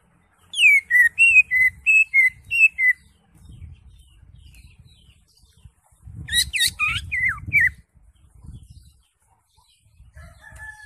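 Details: Green leafbird singing full and lively, played to get a mute caged bird singing: a run of about seven even whistled notes, soft rumbling, then a dense burst of twisting, fast-sweeping chips over low background noise.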